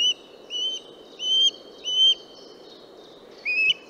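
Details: Western osprey giving a handful of bright, whistled 'cheep' notes. Three evenly spaced notes are followed by a pause, then a final lower, wavering note. Faint hiss lies underneath.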